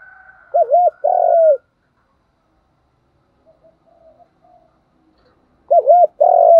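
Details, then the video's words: Spotted dove acting as a decoy, changing phrases continuously to attract wild doves. A double hooked coo and a longer coo start the clip, a pause with faint soft coos follows, then the same loud pattern returns. "Tiếng chim cu gáy thúc bảo đảm bổi nghe gáy liền, chim cu gáy mồi đảo bài liên tục"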